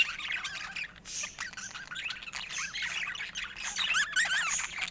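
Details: Budgerigar sounds: steady busy chattering with squawky mid-pitched notes and quick up-and-down chirps, a few sharper whistled squeaks near the end.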